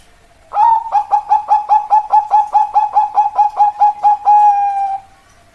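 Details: Zebra dove cooing: a rapid run of about sixteen short, clear, mid-pitched coo notes in even rhythm, ending in a longer drawn-out note, in a quiet setting with no other sounds.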